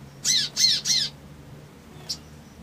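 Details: Three quick harsh buzzy chirps from a male crimson sunbird, each with a falling lower stroke, then a short faint tick after a pause.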